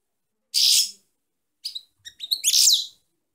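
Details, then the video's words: Female European goldfinch singing: short bursts of bright, high twittering and buzzy trills separated by brief pauses, clean and free of other sounds. "chant femelle chardonneret - .Canto femeninas jilguero"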